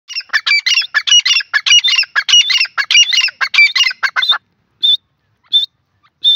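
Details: Grey francolin calling: a fast run of loud, harsh multi-note phrases repeated without pause for about four seconds, then three separate clear whistled notes spaced apart in silence.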